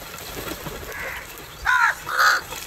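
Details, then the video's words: Crow calling while fighting over food: two loud, harsh, nasal caws close together in the second half, after a quieter stretch of faint background noise. "Crow cowing and attack on food"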